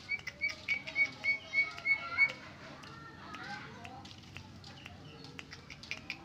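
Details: Original song of a Greater green leafbird without imitated phrases: a steady string of sharp whistled notes, about three per second, for two seconds, then quieter scattered chirps and rustling.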